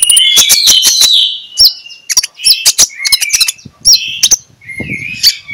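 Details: Morning ngeplong-style magpie-robin song used as a lure for quiet magpie-robins: rapid clicking notes over whistled phrases, then separate bursts of whistles and chatter, with a faint low rumble near the end.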